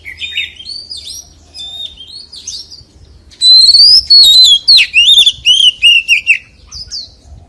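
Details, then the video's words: White-rumped shama, wild-voice song: faint, soft whistled phrases first, then a loud burst of high whistles and rapid looping notes that tumble lower, repeated several times a second. "CHÒE THAN HÓT GIỌNG RỪNG SIÊU HAY"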